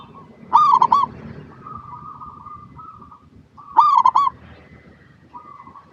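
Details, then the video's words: Zebra dove, local perkutut, singing as a lure for other doves; two loud, quick bursts of rolling staccato coos about three seconds apart, with quieter drawn-out cooing trills between. "PERKUTUT LOKAL GACOR PALING DISUKAI 🐦 Suara Asli Bikin Semua Perkutut Dimanapun Pasti Nyaut"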